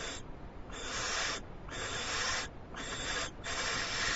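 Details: Owl on a live nest camera, receiving a big treat and finishing it very fast, 21 February 2011; long harsh hissing bursts, each about half a second to a second, repeated roughly every second with rasping noise between.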